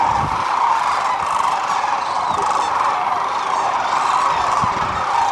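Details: Sandhill cranes resting and feeding during their spring northward migration stopover on the middle Platte River in central Nebraska. A dense, unbroken chorus of many calling birds blends into a steady roar.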